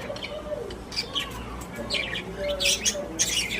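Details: Caged pet budgies give short twittering chirps and squeaky warbles in uneven bursts, about eighty-five per minute, over a faint low hum.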